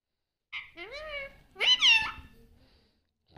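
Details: Pet parrot that talks, prompted to say "papa": two nasal, squeaky, speech-like syllables, the first rising smoothly, the second louder and bending down, followed by a faint human voice at the end.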